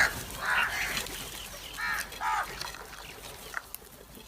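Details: Crows squabbling over food give harsh, hoarse caws in short bursts, three or four rough calls over a few seconds, with faint background noise between them.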